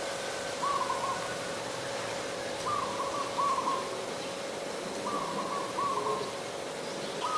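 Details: Adult zebra dove recorded at Ubon Ratchathani, Thailand, on 28 December 2020: short rolling, trilled coo notes come in pairs and small groups every couple of seconds over a constant low hum.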